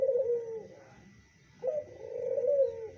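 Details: Zebra dove, locally perkutut, stirred by a pancingan lure and said to honor a kecial kuning: one fading purring coo, a short pause, then a longer rolling coo that swells before trailing off, over a low background hum.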